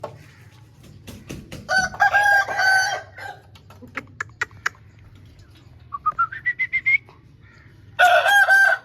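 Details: Home-kept Aseel rooster gives two loud harsh crows, one drawn out in the middle and another at the end, with clucking and sharp clicks between and a rising squeal from another bird.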